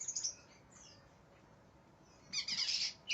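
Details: Greater green leafbird in an aggressive mood, seeking an opponent: short high chirps and a whistled note open, a long near-silent gap follows, then a loud dense burst of buzzy, chattering high notes near the end.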